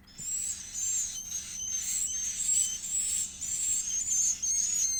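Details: Begging chick of the edible-nest swiftlet being fed: very high, sibilant notes start after a short quiet moment, then run in rapid, closely spaced pulses of about three per second.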